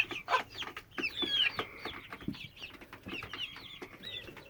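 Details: A 10-12 week old hen, otherwise fine, that has called constantly since 22 May 2017; piercing downslurred whistles and sustained tones, with a loud sharp note at the start and softer chirps after.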